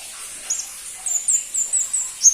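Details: A crimson-breasted flowerpecker (pentis pelangi) utters a short series of thin, high, slurred whistles roughly every quarter second, ending on a louder sharp note.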